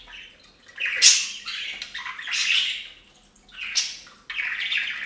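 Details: Budgerigars taking a bath on a fountain, uttering a few harsh squawks and buzzy warbles separated by short pauses, with splashing water audible.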